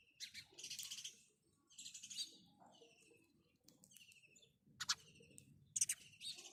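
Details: House sparrow calling: bright, harsh chirps in short clustered bursts roughly every second, with brief pauses between groups and a few sharper single notes near the end; a faint low rumble underneath.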